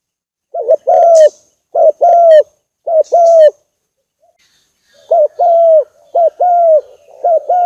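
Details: Spotted dove recorded as a decoy lure: loud, clear cooing in paired phrases, a short note followed by a longer falling coo, repeated in groups with a pause of about a second between bursts.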